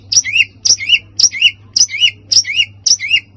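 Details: White-rumped shama singing to provoke other birds. Six identical phrases, each a sharp high note followed by a rising whistled slur, repeated about every half second over a faint low hum.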